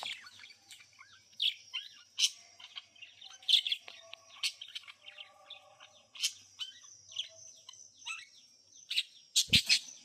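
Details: Budgerigars chirping: dense high twittering with short bright chirps and warbles, sharp peaks near 2, 3.5, 6 and 9 to 10 seconds over a steady high whine.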